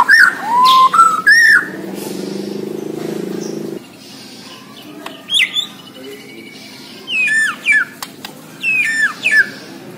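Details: White-rumped shama of the Borneo variety singing vigorously: loud whistled notes and sharp downslurred phrases in bursts, a soft low hum mid-clip, then quieter clusters of bright descending notes.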